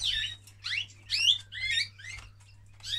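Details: Male canary during mating, giving bursts of high, sharp chirped syllables about twice a second, some sweeping upward, separated by brief pauses, with a constant low hum beneath.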